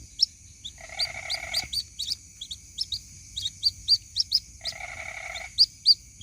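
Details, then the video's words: Young white-breasted waterhen calling for its mother. Sharp rising chirps repeat irregularly, about four each second. Two stretches of low buzzing rattle interrupt them, and a faint constant high-pitched hum runs beneath. "SUARA ASLI PIKAT ANAK BURUNG RUAK RUAK MEMANGGIL INDUKNYA"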